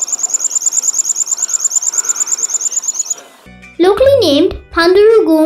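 Jerdon's Bushlark giving a fast, even series of thin, very high ticking notes, about six a second, for three seconds; a man's voice and music follow.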